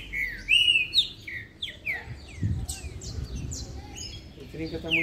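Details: A green-winged saltator (trinca-ferro), kept with other saltators in a song session, sings agitatedly at a rival: a lively string of clear, slurred, rising-and-falling whistled phrases in quick succession, with other birds chirping and a man talking quietly.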